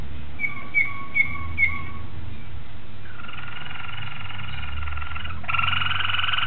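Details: Malinois Waterslager canary song from 26 October 2012. Four short separate whistled notes open, then long even rolls and a louder buzzy tour at the close, with a constant low background hum.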